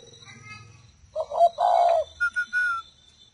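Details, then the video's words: Spotted dove from a tame breeding pair kept for nesting: soft background rumble, then a short gruff coo followed by a longer rolling throaty note, then three clear whistled notes, the last one drawn out. "chim cu gáy ấp đẻ cự thuần"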